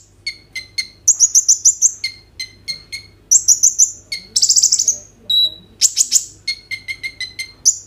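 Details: Sunbird known as kolibri ninja pouring out 'roll tembak' song to prompt other birds to sing: runs of staccato high ticks, rapid buzzy trills and a lone clear whistle, recorded on a phone.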